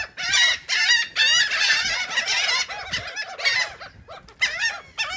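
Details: Gulls squabbling over cake in Atlantic City, New Jersey: bursts of loud, strained, wavering cries from several birds stacked together, separated by brief quieter gaps.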